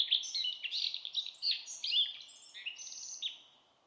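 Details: Common redstart in a dense run of high, varied notes: chirps, slurred whistles and brief buzzy trills tumble together for about three seconds, then fade out.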